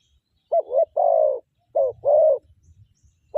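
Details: A captive spotted dove, used as a decoy bird in the morning, coos in soft, low, hollow phrases: a short note, then a longer drawn-out one, twice within three seconds, over faint low thumps.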